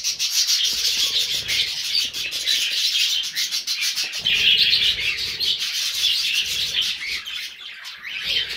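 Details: Chattering flock of budgerigars, with cockatiels also present, makes a steady stream of fast, scratchy warbling and brief sharp chirps, many voices overlapping almost without a break.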